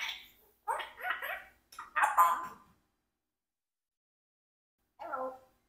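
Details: Pet Congo African grey parrot, four years old and adopted, talking when its favourite treats ran out: three clustered bursts of speech-like voiced syllables in the first three seconds, a pause, then one short burst near the end.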